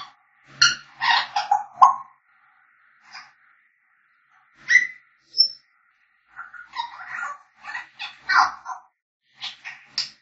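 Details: African grey parrots singing and whistling: bursts of varied, warbling whistled notes and harsher squawk-like syllables, in scattered phrases separated by short silences.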